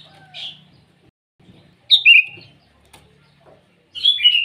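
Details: Sooty-headed bulbul calling rivals in the morning: a soft opening note, then loud, rolling whistled phrases that dip and rise, with a low hum and faint clicks underneath.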